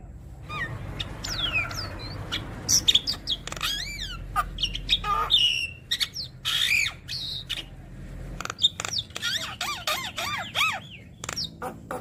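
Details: Long stretch of varied Javan myna song, meant to prompt other mynas to sing: snapping clicks, swooping whistles, harsh squawks, then rapid bouncing whistled notes toward the end.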